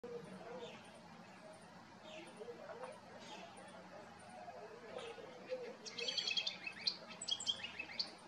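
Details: A house wren in Costa Rica bursts into a fast, bubbling jumble of high chattering notes near the end, after a stretch of low voices and background noise.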